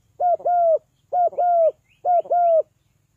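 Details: Spotted dove cooing to lure other birds down: three rounds of a two-part hoot, a clipped note then a drawn-out, slightly falling coo, evenly spaced roughly every second, with soft faint chirps above.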